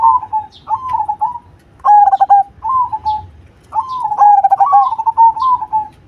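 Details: Zebra dove of the cemani variety sings a series of cooing phrases, some short and some long. Each mixes rapid rattled notes with level coos, and soft high chirps sound in the background.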